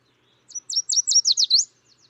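A Yellow Warbler sings a quick, bright run of about eight high, sweet whistled notes that speed up and slur down at the end. The background is quiet.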